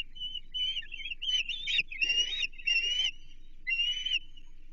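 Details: At a Chesapeake osprey nest in June 2023, during a shad feeding, a bird gives high, thin, drawn-out whistled calls, some wavering and some rising, with short gaps and light rustling.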